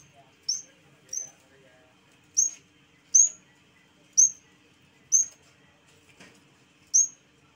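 Mountain tailorbird giving seven thin, very high, sharply upslurred notes at uneven intervals of roughly one to two seconds, over faint background hum.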